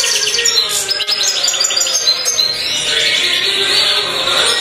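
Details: European goldfinch of the black mutation giving a dense, fast run of chirps and twittered trills, becoming a smoother, sustained buzzy warble in the second half, with a low humming tone in the background.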